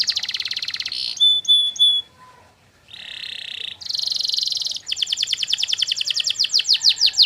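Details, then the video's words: Canary master song meant to draw answers from other canaries. A buzzy roll, short whistled notes, a quiet gap, further buzzy rolls, then a long, fast pulsed trill. "masteran burung kenari durasi panjang"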